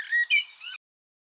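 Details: At 4:30 in the morning, a common blackbird outside a bedroom window gives a brief alarm call: a few quick, high whistled notes in under a second, slightly rising, against a quiet background.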